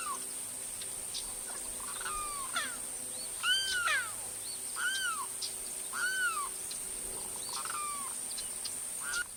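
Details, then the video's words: Loud crying calls of a Limpkin in Florida: a series of arched, wailing notes that rise and then drop, repeated about every second, with a steady high hiss behind them. "Limpkin The Calls and Sounds of Florida's Loudest Bird"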